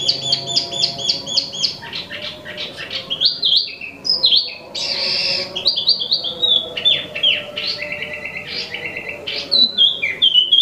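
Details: Imported Wambi mini, or Tieu Mi, a bird for sale in full non-stop song: fast repeated high chirped notes, a brief harsh burst, then varied whistled phrases and trilled runs, with low background hum throughout.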